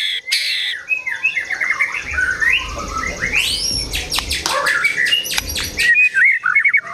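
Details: Agitated White-rumped shama singing rising whistles and scratchy sweeps over steady background hum, with sharp clicking notes near the end.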